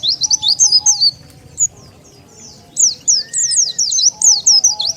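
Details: Oriental white-eye call for luring wild birds: a burst of high twittering zigzag notes, a pause with a faint thin whistle, then another fast run of sharp descending chirps.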